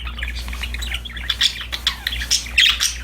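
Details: Happy budgies at play give a quick run of scratchy chirps and squeaky notes over a steady low hum.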